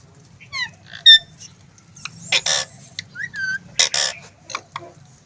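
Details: Talking pet green ring-necked parakeet with high squeaky harmonic notes, raspy bursts and a short falling whistle, broken by brief silences.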